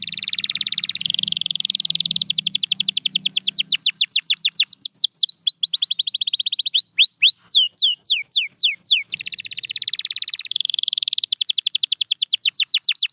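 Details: Canary song built from long rolling trills, alternating buzzy churring tours with runs of crisp, descending whistled notes. Midway there are a few looping upslurs before the fast rolls return.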